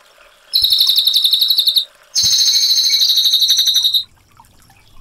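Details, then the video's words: Cililin in lively 'gacor' voice, delivering a rapid rolling 'ngerol' trill likened to AK47 gunfire: two high, clear, machine-gun-like bursts of about one and two seconds separated by a short pause. "CILILIN GACOR SUARA TEMBAKAN AK47 NGEROL JERNIH"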